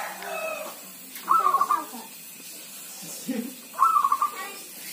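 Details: Zebra dove with an owner, singing in rainy, drizzly weather; two rapid rattling coo phrases about two and a half seconds apart, with faint speech and a steady wash of background noise.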